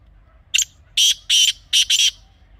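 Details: Grey francolin giving its raucous call, a clean recording meant for hunting use: an opening squeak, then four grating notes, the final two in close succession, over near silence.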